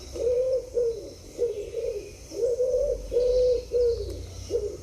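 A pigeon coos steadily: soft, low, hollow notes, each swelling and falling, repeated about twice a second against a faint background hiss.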